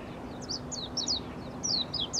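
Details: Blue-and-white flycatcher, very close but unseen, giving a quick run of high, thin notes that slide downward, several each second, over a faint low background hum.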